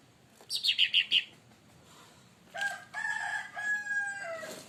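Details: Leafbird (cucak ranting) stirred up by another bird; a quick run of five sharp high chirps, then a pause and a long stretch of steady, harmonic whistled notes.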